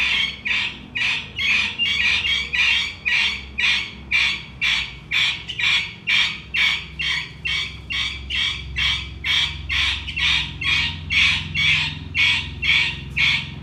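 A partridge gives harsh, raspy notes repeated steadily about twice a second.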